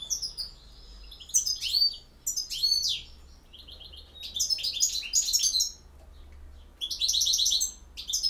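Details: Campero-style song of a European goldfinch, made of bright tinkling trills and quick slurred chirps in several separate bursts, some with repeated ringing notes, over a faint low background hum.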